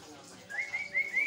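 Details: Javan myna (jalak kebo) in continuous song for tutoring other mynas; a brief series of three clear rising whistles, each sliding upward.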